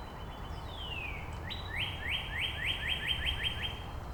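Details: Northern Cardinal singing in Angrignon Park on March 19 during an exchange with neighbouring cardinals. One long whistle slides down, then about ten short upward-sliding notes follow, quickening toward the end, with faint high chips behind.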